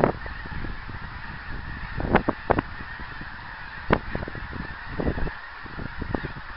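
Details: Geese in flight, recorded 24 January 2010: sharp, separated honks, a few in quick pairs, spaced irregularly over a soft hiss.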